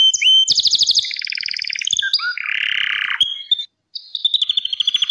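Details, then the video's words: Gloster canary singing a varied song of rapid trilled tours: a fast high rattle, a lower buzzy roll near the middle, then a brief pause before a thin repeated whistled phrase. "GLOSTER KANARYA MUHTEŞEM ÖTÜYOR"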